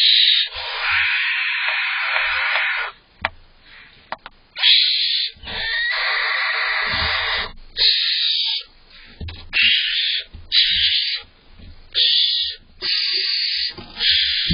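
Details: Young barn owls screech and hiss while competing for prey brought by their father on July 19th, the smaller owlet fighting for its share; long rasping hisses alternating with shorter bursts and pauses, faint thumps of scuffling.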